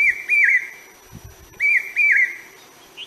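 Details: Common hawk-cuckoo, also called brain fever bird, calling: loud, clear whistled notes in quick pairs, each note rising then dipping, two pairs within about three seconds, with a few soft low knocks between them.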